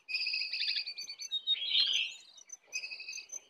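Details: Sooty-headed bulbul song in a fierce duel between a wild and a caged bird, with full isian filler phrases: rapid trilled high notes in quick bursts, then a harsh buzzy chatter and more high repeated notes.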